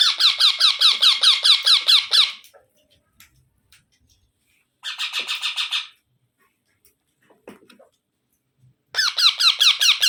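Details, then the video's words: Baby parrot sounds: three long runs of harsh, buzzy, evenly repeated squawks, roughly two or three per second, separated by quiet pauses. "Baby Parrot Sounds"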